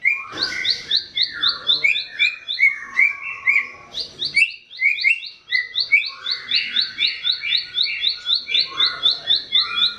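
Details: Small bar-winged prinia singing as a tutor song for cage birds: rapid, high, insistent repeated chips layered with scratchy lower twittering, briefly broken, then a long, even, ticking series.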